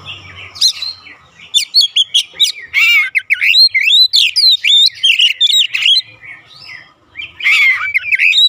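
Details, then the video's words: Oriental magpie-robin song meant to trigger replies from birds kept at home: dense run of sharp whistles, buzzy rattles and squawky notes, a quieter gap near seven seconds, then a final bright phrase. "AUTO RESPON NGEPLONG GACOR KACER ANDA DIRUMAH"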